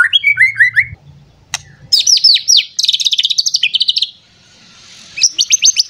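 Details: White-rumped shama, agitated and seeking a rival, sings quick descending whistles, then fast high rattling trills of repeated notes, a brief pause, and another burst of rapid high notes.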